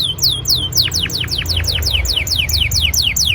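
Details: Rolling canary song aimed at getting young canaries to sing: a quick rhythmic series of bright down-slurred whistles, about four per second, over a low background hum.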